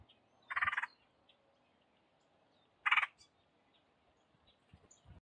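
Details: Red-headed woodpecker in SE Ohio on 28 January 2023 gives two harsh, raspy, rattling calls about two and a half seconds apart, each under half a second long, over quiet background.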